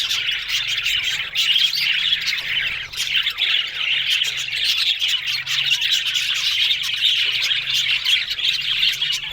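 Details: Budgerigars chattering without pause, layered high chirps and squeaky warbles forming a steady chorus, with a faint low hum underneath.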